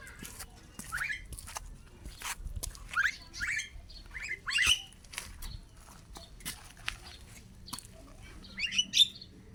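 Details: Starling kept as a pet for four years, heard in daily activity: a run of scratchy, squawky chirps and sharp rising whistled notes in irregular bursts, with clicking and tapping between phrases and low background hum.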